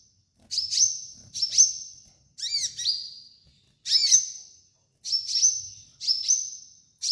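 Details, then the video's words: Master song of a kolibri ninja sunbird for training birds: sharp high ticks that run into thin sustained whistles, mixed with a few lower, downward-curving squeaky notes, delivered in spaced phrases. "MASTERAN KOLIBRI NINJA DAN TERAPI KONIN BAHAN"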